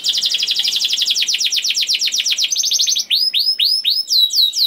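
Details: Song of a young canary used to encourage other canaries to sing: a fast trill, then a quicker, higher trill, then loud, looping whistled sweeps that fall in pitch.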